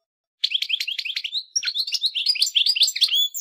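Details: European goldfinch song: after a short silence, a fast, liquid twitter of short chirps and buzzy notes, several per second, with a few higher whistled slurs mixed in; no other sounds.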